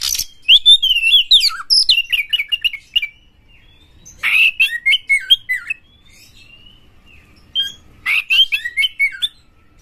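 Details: Aggressive Oriental magpie-robin (kacer) singing to provoke other kacer into singing, displaying and fanning the tail: three bursts of rapid, varied whistled and chattering phrases, sliding up and down, separated by short pauses.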